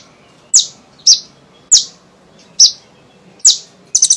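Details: Olive-backed sunbird, actively singing, used as a lure to prompt other sunbirds to sing: sharp, very high chipping notes, each dropping slightly, given singly about once every half second to second, ending with a quick triple chip.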